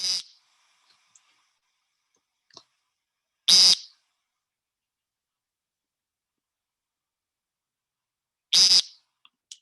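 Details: American Woodcock, a species displaying at dusk and dawn, giving three short, harsh, nasal buzzes, each under half a second, spaced about three to five seconds apart, with near silence between them.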